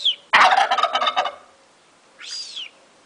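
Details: Turkey responding to whistling: a loud, rattling gobble of rapid pulses lasting about a second, followed by a short rising-then-falling human whistle.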